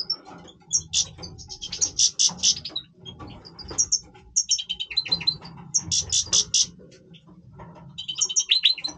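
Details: Male European goldfinch in breeding voice, singing a rich liquid twitter of rapid high notes, buzzy bursts and short trilled phrases in quick succession, low hum in the background.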